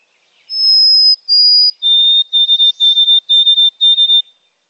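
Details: A White-throated Sparrow (Zonotrichia albicollis) song sings two long, pure whistled notes, then steps down to a steady run of shorter whistles, like 'oh sweet Canada Canada Canada'.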